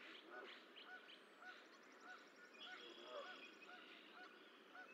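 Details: Goose calls from the Decorah Eagle Nest on 14 April 2024 as the final egg of six hatches; brief soft arched notes repeat about twice a second throughout, with a faint high trill and steady background hiss.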